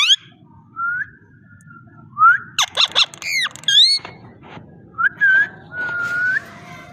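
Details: Talking parrot mixing rising whistles with loud, rich swooping squawks that sweep high and fall, in several bursts separated by brief pauses, ending in a long drawn whistle.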